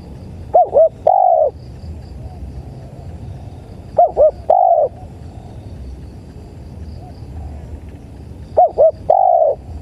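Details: Spotted dove (tekukur) cooing in a recording used as bird-luring playback: three phrases, each two short hooked notes then a longer drawn-out coo, repeated about every four seconds over a low steady hum and faint high chirping.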